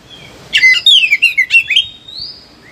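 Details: Oriental magpie-robin, agitated in captivity, delivers a burst of rapid tumbling whistled notes, then a long thin rising whistle and a short slurred note, in quiet surroundings; used as training song for reluctant birds.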